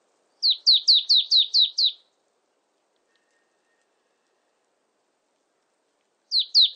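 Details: Marsh tit from a 2020 recording gives a fast burst of about seven high, downward-sweeping notes. A long silence follows, then another short run of the same notes begins.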